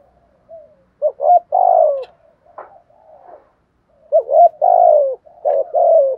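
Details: Spotted dove giving a thúc gù cooing style: low, hollow coos delivered in grouped phrases, a short stuttered pair followed by a longer drawn-out falling coo, repeated after a pause, loud and clean with no other sounds.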